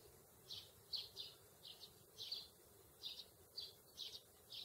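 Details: Two sparrows foraging in a grassy meadow: a steady string of bright, high chirps, often in quick pairs, roughly two per second, against a quiet outdoor background.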